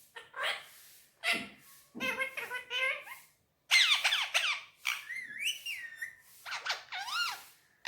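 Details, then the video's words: Indian ringneck parakeet chattering Urdu/Hindi words on a table: a dense run of squeaky, speech-like syllables and clicks, followed by swooping whistled inflections. "Mitthu talking on table || so cute Mitthu is very sweet talking || And lovely parrot Urdu/Hindi"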